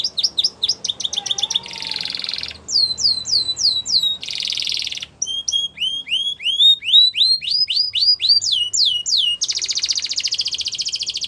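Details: Gloster canary training song, a continuous varied performance: quick repeated chirps, buzzy rattling trills, then series of downward-swept whistled notes repeated about twice a second, ending in a long harsh buzzy trill.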